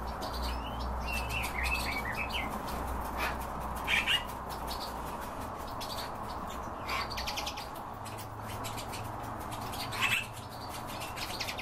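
European bee-eaters give soft, rolling chirps in scattered bursts, a few voices calling now and then over a low rumble of wind.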